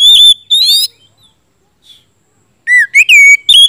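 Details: Oriental magpie-robin with 'gacor ngeplong' song meant to coax silent birds into answering: two short whistled bursts, a long quiet gap with one faint note, then a falling whistle and sharp rising phrases.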